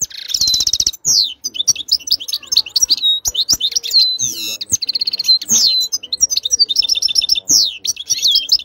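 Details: Close European goldfinch song: a rapid tinkling stream of twittering notes opening with a buzzy rattle, then liquid whistled slurs, short trills and sharp chirps delivered almost without pause over about nine seconds.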